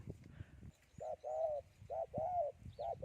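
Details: A Spotted Dove in upland rice fields and forest gives low, hollow three-part coos: a short note, a longer drawn coo, then a pause. Faint rustling and distant chirps sit behind it.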